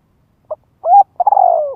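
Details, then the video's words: Spotted dove from Vietnam calling to lure wild doves in to fight: a short low note, a hollow rising coo, then a long rolling, quavering coo that slides downward. No closing note follows. "Tiếng chim cu gáy gọi kích bổi nhập cội cực chuẩn - Thúc Bổi về đấu nhanh hiệu quả."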